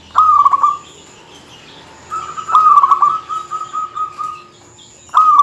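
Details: Local zebra dove delivering a dense, rival-provoking song: a brief stuttering trill, a pause, then a long, steady rolling trill lasting over two seconds, followed by another short burst.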